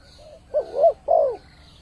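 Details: A spotted dove lure call meant to attract wild birds, heard as one soft rising-falling coo pair with a faint lead-in note, against a quiet background.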